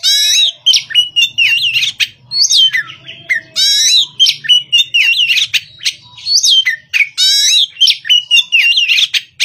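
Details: Untrained Oriental magpie-robin in its morning singing session: loud, varied whistled phrases with sharp up-and-down slurs and rapid chirps, sung in bursts separated by brief pauses, with a faint low hum in the background.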